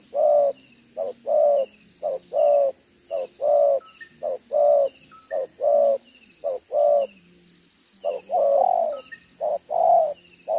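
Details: Decoy spotted dove giving its 'đồng gáy 1 hậu' cooing style, 11 June 2023: a long run of mellow two-part coos, short then long, tumbling along at a quick, slightly uneven pace, faint high bird chirps behind.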